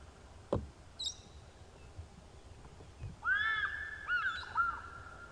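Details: An African Fish Eagle, distant in dead trees at sunrise and possibly hunting at a nearby waterhole, gives a loud, ringing burst of three or four yelping notes, bending up and down; a brief high chirp and a thump come earlier.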